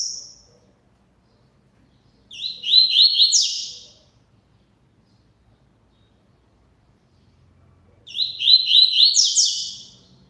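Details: Double-collared seedeater singing a lot: two loud, high phrases about five seconds apart, each a fast run of buzzy, slurred notes that climb and end in a sharper burst, with silence between.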